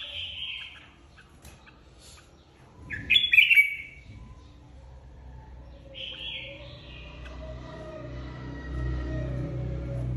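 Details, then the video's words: Red-whiskered bulbul flock leader, newly moved to an aviary, singing competitively: short bright warbled phrases at the start, around three seconds and around six seconds, over a rising low rumble of background noise. "Chào mào đầu đàn mới tách avi ra ( chào mào hót đấu)"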